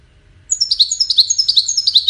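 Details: Singing European goldfinch bursts in after a brief silence with quick, high, sparkling twitters and chirps, about eight notes a second, continuing evenly to the end of the clip without background noise.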